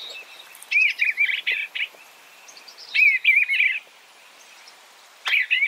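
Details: Eastern bluebird singing soft, gurgling warbles, each phrase under a second long and repeated about every two seconds, with little else audible.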